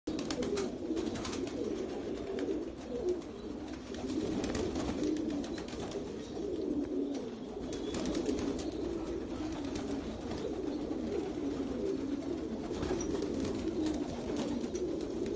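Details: A loft of domestic tumbler pigeons (Giribaz) cooing together in a steady, low, rolling murmur.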